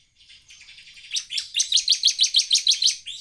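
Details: A bar-winged prinia sings high and bright, recorded as a lure to make other prinias sing: soft, quick twittering swells into a run of loud, sharp chirps, about six each second, with nothing else heard.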